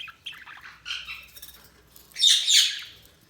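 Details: Budgie chirping: a few light, wavering chirps and squeaks, then a sudden loud, harsh, broadband squawk with two peaks before it fades out.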